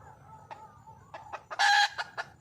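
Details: Wild junglefowl hen calling for a mate: soft murmuring, scattered clucks, then a sudden loud harsh squawk followed by further quick clucks.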